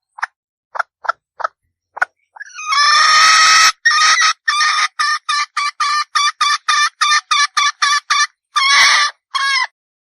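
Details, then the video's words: Female red junglefowl, a wild forest chicken, giving four short soft clucks, then a long harsh drawn-out squawk, followed by a run of about a dozen rapid, clipped, nasal notes and one final longer squawk. "Suara Asli Ayam Hutan Betina"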